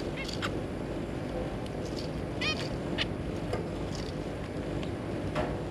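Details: Zebra finch parents with their three juvenile young, kept birds, recorded 3 July 2022: short nasal harmonic call notes scattered at irregular moments, about five in under six seconds, over a constant low rumbling room hum.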